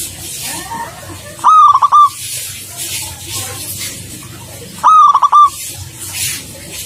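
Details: Energetic singing from a local perkutut, the zebra dove. Two separate bursts of quick, stuttered cooing notes, each closing on a drawn-out coo, about three seconds apart. Steady hiss and low rumble fill the background.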